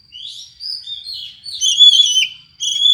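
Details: Oriental magpie-robin singing an unusual song, used to lure or stir up another kept magpie-robin: a rapid run of high whistled phrases, sliding notes and chirps, with a short pause before a final bright, sustained whistle.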